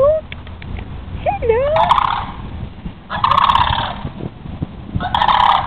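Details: One of a pair of sandhill cranes that are dancing and unafraid of people in Holiday Park, Palm Bay, Florida, gives loud, rolling, rattling bugles in three bursts of about a second each, preceded by a few thinner whistled notes, over a low background rumble.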